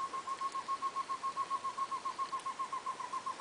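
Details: Short-tailed antthrush (Chamaeza campanisona) walking on the forest floor in search of food in Corupá, Santa Catarina, Brazil; a steady, rapid run of short hollow hooting notes at an even low pitch, about four per second, over faint background hiss.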